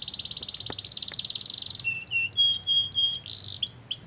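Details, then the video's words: Canary singing to provoke other canaries: a rapid buzzing high trill, then a sequence of short whistled notes and brief chirps with slight pauses between them. "Kenari mana YANG GAK IKUT GACOR dan NEMBAK dengan pancingan kenari ini"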